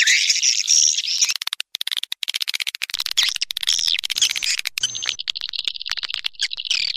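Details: Swiftlet chirping used as a lure: a continuous high twitter at first, then a rapid, clicking, stuttering run of short notes, ending in dense squeaky twittering.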